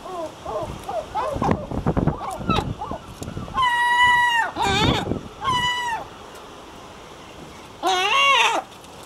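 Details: Herring gull calling in the breeding colony, first quick yelping notes, then long, drawn, mewing wails that rise briefly and sag downward, spaced a second or two apart.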